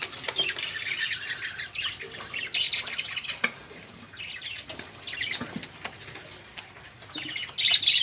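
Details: Budgerigars, a busy noisy group of caged birds, chattering as a prompt to get other songbirds singing; bursts of high scratchy warbling and chirps come and go, with brief quiet spells and some fluttering.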